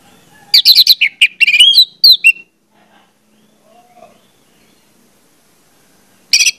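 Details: Orange-headed thrush lure song to encourage birds to sing: a rapid tumbling phrase of varied, rich whistles and chirps, then near silence with faint background sound, ending in a brief loud burst.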